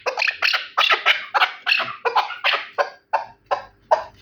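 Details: Harsh, clipped chuk-chuk notes from a Terali chukar partridge, hailed as the best partridge, delivered quickly at first and then spaced out with short pauses.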